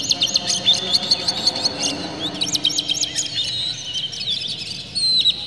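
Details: Oriental magpie-robin singing with tail open, a provoking song for other magpie-robins: nearly continuous fast series of high, sharp squeaky notes in quick succession, closing with a clear sustained whistle.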